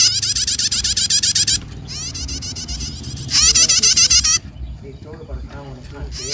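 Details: Bar-winged prinia calling, a recording used to lure small birds: loud, rapid runs of sharp buzzy notes about four per second in bursts of one to two seconds, with softer lower chattering between bursts.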